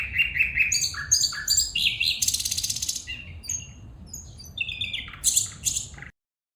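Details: Calling female bulbul giving rapid, varied notes: stepped chirps, sliding whistles and a harsh buzzy rattle near the middle, then more sharp, high notes before the sound stops abruptly.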